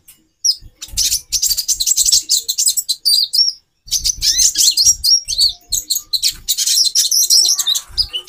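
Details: High, busy twittering from a female brown-throated sunbird, used to excite the male's mating drive: two long bursts of quick chirps and slurred whistles split by a short pause.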